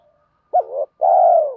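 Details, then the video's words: Spotted dove cooing, from male and female birds, played to stimulate captive doves kept for training. There is a short, wavering note, then a longer, smooth, mellow coo that falls gently at its end, in clean, quiet conditions. "tiếng chim cu gáy kích bổi"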